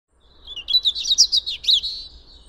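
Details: European robin, free wild bird recorded in spring, singing a fast, jumbled phrase of high warbling, twittering notes that rise and fall quickly, with thin trills, ending in a sustained high thread of sound.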